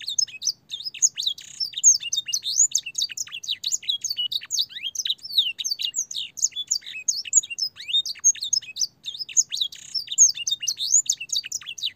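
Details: Long canary song for training young birds, filled with blackthroat and sanger phrases: a continuous, very fast, high-pitched warble of sharp descending whistles, chips and trills, energetic and unbroken for the whole twelve seconds.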